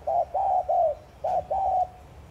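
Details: Spotted dove in thúc gù style, cooing to excite other doves into calling. Rapid mellow series of short then longer sustained low coos, five notes in under two and a half seconds against faint hum.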